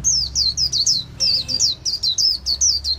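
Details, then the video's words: White-eye in the líu xòe song style, owned by a bird artisan: a steady stream of high, bright, downward-sweeping whistled chirps with a brief pause near the middle. "Khuyên líu xòe tố chất"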